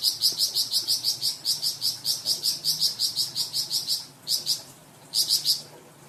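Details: Varied song of a Flamboyan bird used as a tutor for cucak ijo and magpie robin: a fast run of clear, bright, evenly spaced notes for four seconds, then two short bursts of a few notes.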